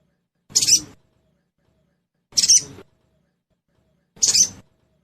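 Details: Lure call of a trotol crested jay, used to make a bird sing soon: three evenly spaced, harsh, hissing bursts roughly every two seconds, each about half a second long.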